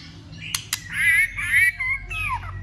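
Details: White-rumped shama's fighting song while flicking its tail to rouse other shamas: two clicks, then strong wavering warbles, a steady whistle and a final downward-sliding note.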